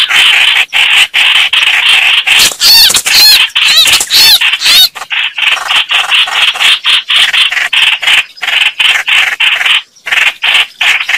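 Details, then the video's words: Red-whiskered bulbuls fighting: a long run of harsh, clipped chatter notes with a dense burst of warbled trills early on, then steady scratchy calling, very close. "Tiếng chim Trao Trảo(Hoành Hoạch, Chào Mào) đánh nhau"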